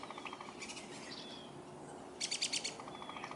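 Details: Backyard woodpeckers hunting insects on a willow tree give two loud rattling churr bursts of rapid pulses, about half a second each and well apart, with a fainter pulsed call and other chirps around them.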